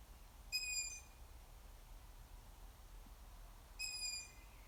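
A young long-eared owl gives two high, thin, squeaky calls like a creaking gate, about three seconds apart, over a faint low rumble.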